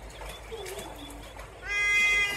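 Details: Trumpeter hornbill in Kruger National Park's Mjejane Private Game Reserve, South Africa, December 2022, giving its signature cat-like call: one drawn-out, nasal wailing note, steady in pitch and rich in overtones, after a second of faint murmuring.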